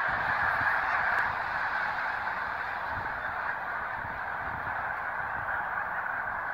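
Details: Massed snow geese, thousands strong, at a Pennsylvania park in late February 2019, filling the air with an unbroken chorus of high nasal barking honks, slightly softer and more distant than a close flock.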